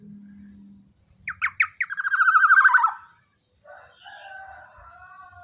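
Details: Loud young black-naped oriole, large in body: a low steady hum, then spaced falling notes run into a quick buzzy rattle. Softer drawn-out whistled notes follow after a short gap.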